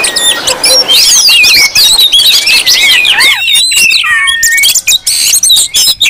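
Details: Oriental magpie-robins in a busy, noisy chorus meant to lure and provoke other magpie-robins: dense overlapping whistles, slurred rising and falling notes and harsh chatter. The sound thins after about three seconds into scattered sharper notes with short gaps.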